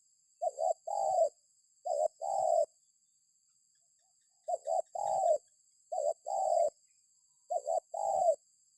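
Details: Spotted dove cooing, intended to prompt other birds to call back: five phrases of a clipped double note followed by a sustained hollow coo, delivered in irregular pairs with a longer gap in the middle, faint high whine throughout.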